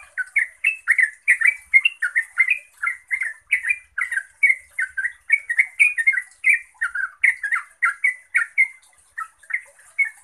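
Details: Continuous bubbling song of a yellow-vented bulbul, used to make other bulbuls respond and sing; dense, energetic run of short warbled chirps repeated several times a second for about ten seconds, with no other sounds.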